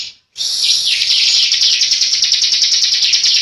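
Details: Bar-winged prinia, an Indonesian endemic, singing an insistent 'ngebren' song: a dense, buzzy, high trill of rapid scratchy notes held without a break for about three seconds after a short silence.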